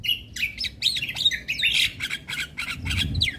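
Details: Asian pied starling singing energetically, provoking neighbouring starlings: dense bursts of harsh chattering notes mixed with whistled slurs, rapid and varied, with a low hum beneath.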